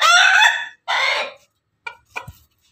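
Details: Pelung and Ketawa chickens together: two short, loud, rough crowing bursts, then a few brief clipped calls trailing off.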